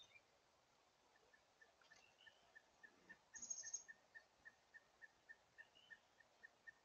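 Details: Pileated woodpecker, heard but not seen on January 17, 2022, gives a long, steady run of loud, even kuk notes, about four a second and growing louder; a brief thin high whistle from another bird cuts in partway through.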